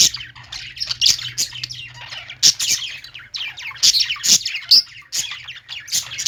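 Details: A flock of pet-store budgies sing in overlapping bursts of bright chirps and rasping squawks, loud peaks coming in waves, with a low hum underneath.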